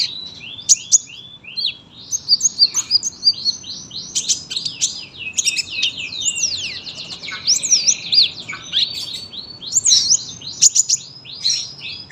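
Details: Sunbird in a long, continuous chattering song, presented as tutor material for young birds. Dense high-pitched twittering of rapid chips, slurred whistles and short trills runs almost without pause throughout.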